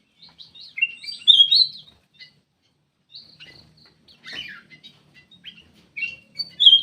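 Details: Black-crested bulbul lure call: bright chirped and whistled notes between mid and high pitch, in short clusters with two louder bursts near the start and end, gaps of quiet between.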